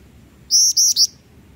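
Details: Vocal jingjing batu (Black-winged flycatcher-shrike) used as a songbird tutor, giving a three-note phrase: two steady high whistles and a brief upturned final note, clean and sharp over near silence.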